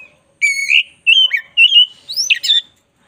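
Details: Black-breasted oriental magpie-robin in lively tutor song. Four clear whistled phrases follow one another: a long bright note, a buzzy slurred one, a steady whistle and a rising, twisting flourish.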